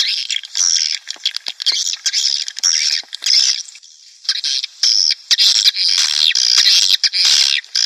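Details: Swiftlet colony lure for a nest house, Klimax 2019 version: a thick wash of shrill, high chirping, nearly continuous, with a short pause midway and rapid overlapping squeaks.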